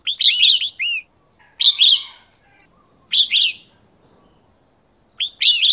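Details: Female red-whiskered bulbul calling for a male: loud, clear chirping phrases of bright down-curving whistles, repeated roughly every one and a half seconds.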